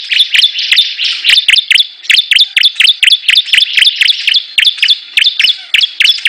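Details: Strident, evenly paced chips from a Bar-winged prinia (ciblek) during a 'gacor' battle between rival birds: short high notes roughly three per second, with a brief pause after the first second.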